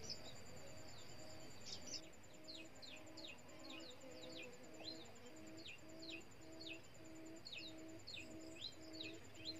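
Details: Decoy quail calling to lure wild quail into a trap at the end of the season. Short rising whistled notes repeat irregularly. Low, steady paired tones run underneath, with a faint high insect-like buzz throughout.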